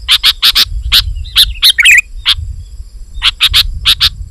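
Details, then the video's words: Sooty-headed bulbul in lively 'gacor' singing, played to lure wild bulbuls: sharp bright chips in quick pairs and clusters, with a few short slurred twitters mid-way, over a soft low rumble. "Suara Burung KUTILANG GACOR Rapat Menekan Lawan Ampuh Untuk Memikat BURUNG KUTILANG Liar"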